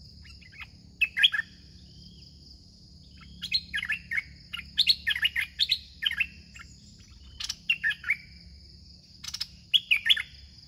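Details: A caged red-whiskered bulbul (Pycnonotus jocosus) used as a decoy bird sings continuously and aggressively, in bright, bubbling phrases of rich whistled notes in quick bursts.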